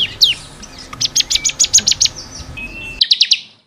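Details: Training song for caged bar-winged prinia (ciblek kristal): a high swooping note, a steady run of clipped repeated notes, a thin whistle, then a few final sharp chirps.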